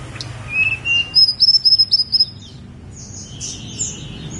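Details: A snowy-browed flycatcher on Gunung Songgo Langit sings a rhythmic string of high, thin repeated notes, about eight in quick succession, then fainter high twitters fade out.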